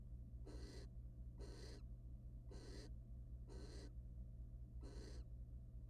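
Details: Wild barn owls mating in a research nest box, the male then grooming the female's feathers; five rasping hisses repeat steadily about every second over faint low hum.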